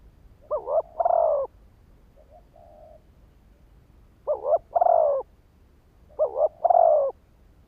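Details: ['Spotted dove decoy cooing to lure wild birds, three phrases of a clipped double note and a throaty prolonged coo, one soft tail note between the first two, quiet background.']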